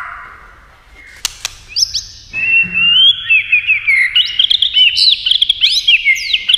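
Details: White-rumped shama singing in a contest style with many voices: a few clicks, then a long, rapid run of high, sliding, warbled whistles that grows louder and busier toward the end.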